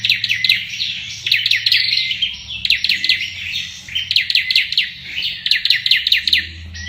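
An olive-backed tailorbird sings rapid, machine-gun bursts of sharp, high notes, each volley lasting about a second with brief pauses between, over a faint low hum.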